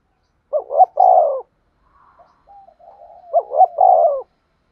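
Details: Spotted dove decoy calling to attract wild doves for trapping. Two low coo phrases, each a quick double rising note plus a longer falling coo, separated by quiet murmuring coos.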